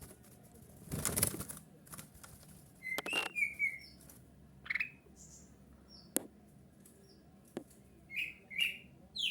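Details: Black-crested bulbul singing to lure others into answering: brief clear whistled phrases bursting out between knocks and handling thumps, a pair of quick slurred notes near the end, over a low background hum.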